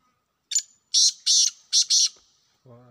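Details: A wild black francolin gives a short thin note, then four loud, scratchy, grating notes in two pairs; a man's voice starts just as the call ends.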